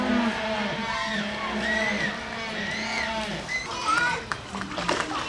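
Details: A Humboldt penguin at Hamura Zoo, Japan, on 20 June 2015, gives drawn-out, harsh, donkey-like braying notes that rise and fall over several seconds, with people's voices and clatter behind.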